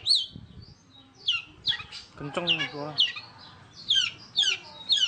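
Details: Long-tailed shrike, 'roll speed rapat' song style: high, sharp down-slurred whistles given in spaced pairs, with a man's voice speaking briefly midway through.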